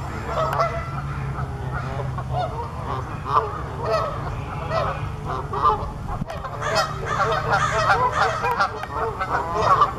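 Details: Canada geese in landing flight, a flock giving a continuous chorus of overlapping nasal honks, growing busier toward the end, over steady low background rumble.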